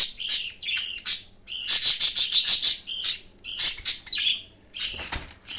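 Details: Budgerigar chick being fed by another chick, giving loud, buzzy, harmonic begging calls in quick bursts, some run together into rapid stuttering sequences with short pauses between groups.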